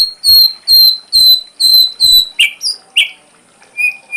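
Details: Ashy drongo in a full-repertoire tutor recording for songbirds: five loud, even whistled notes near the top of the range at steady half-second spacing, each with a low thump beneath, then lower slurred whistles and a short buzzy note.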